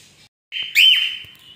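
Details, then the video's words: A cockatiel sings one clear, high whistle, sustained at a steady pitch with a quick upward flick in the middle, after a short break of silence. "Cockatiel singing | Cockatiel Sounds"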